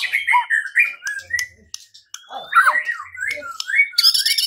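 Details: White-rumped shama singing as a lure meant to trigger fighting and singing: fast, varied whistled phrases with slurred notes, a brief pause, then more twisting whistles ending in a harsh, scratchy burst.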